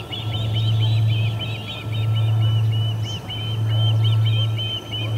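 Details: Ospreys expelling returning visitors from the Charlo P2 nest, August 20, 2020, midday. Rapid, looping high chirps form an almost continuous chatter, with a low hum that swells and fades.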